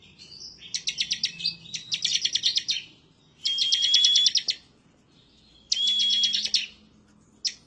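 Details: Excited bar-winged prinia singing as if seeking a rival, bursts of fast high chattering notes about a second long, separated by short pauses, with a faint steady whistle in places.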